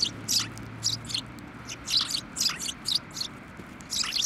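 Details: Sparrows coming onto a bench to be given food at a Tenmangu shrine, 17 December 2023, giving a steady run of short, high chirps in quick succession over a faint low hum.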